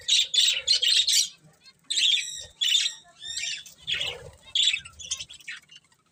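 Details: Budgerigars feeding and singing, heard as short bursts of harsh squawky chirps in quick clusters, separated by near-silent gaps, with soft lower rustling sounds between calls.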